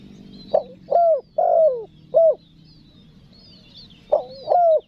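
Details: Spotted dove giving a 'pesom manggil, nekan nguku' call used to lure wild doves: a short note, two longer descending coos and a clipped final coo, with the four-note phrase repeated after a pause. Faint high chirps from other birds sound behind.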